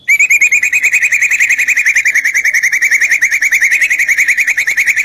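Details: White-rumped shama song meant to provoke other shamas to answer: one long, fast, even trill of rapid repeated notes held steady in pitch for about five seconds without a break.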